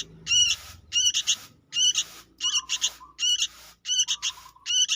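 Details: Young sooty-headed bulbul producing grating, noisy double and triple call bursts roughly every eight-tenths of a second, a soft lower whistle trailing some bursts, and a faint low hum in the background.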